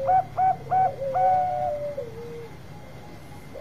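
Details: Long-voiced Bangkok zebra dove singing to draw other birds into song: three bright, hooked, rolling coos roughly every third of a second, then a drawn-out tone sliding gently downward and fading, with a thin constant hum behind.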